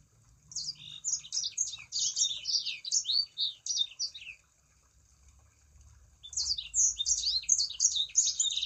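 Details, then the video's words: Sangihe shrike-thrush song, used as a lure to get other kept sanger birds singing: rapid, high twittering bursts of sharp, varied notes for about four seconds, a pause, then another dense burst. A faint low rumble sits underneath. "Pancingan Burung Sanger Supaya Ikut Gacor"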